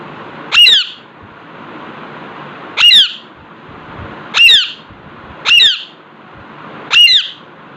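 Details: Indoors before a mirror, an Alexandrine parakeet repeats harsh, ringing squawks five times at uneven gaps of one to two seconds; each is a brief grating burst with a whistled bend, against low room hiss.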